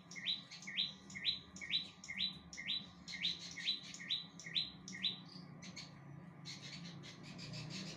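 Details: Bar-winged prinia in full song: a fast series of short upslurred chirps, about two per second, for five seconds, then a looser burst of sharp high notes. A faint steady low hum runs underneath.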